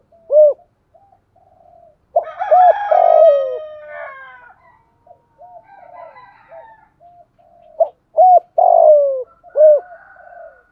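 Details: Spotted dove used as a decoy to lure wild doves, cooing in low phrases: a sharp rising-falling note, a pair of clipped coos and a drawn-out descending croon, repeated about every six seconds. A fainter, rougher coo chorus is heard in between.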